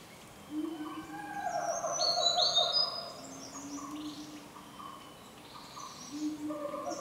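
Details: A Snowy-browed flycatcher perched in front of a bird hide in shady forest on Mount Kerinci, Sumatra, gives thin, very high squeaky notes, with lower drawn-out tones from other birds or insects in the background.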